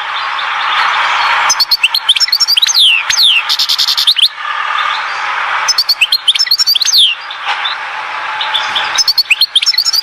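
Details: Goldfinch song at Oued Zhour, Skikda, heard over a steady broad hiss: quick sweeping twitters, swooping slurred notes and short buzzy rattles come in clusters separated by brief lulls.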